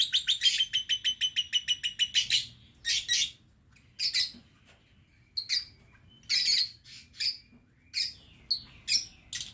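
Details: Captive lovebirds in an aviary, 11 November 2022: a quick, even series of about a dozen shrill chirps opens, followed by scattered sharp squeaks and short chattering bursts.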